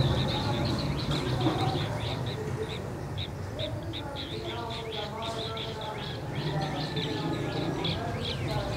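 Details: Asian green bee-eater (Merops orientalis), call.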